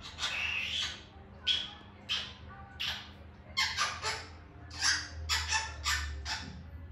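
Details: Grey parrot giving natural squawks: harsh, raspy, broadband bursts repeated about every half second to second, some in quick pairs, over a faint low hum as if indoors.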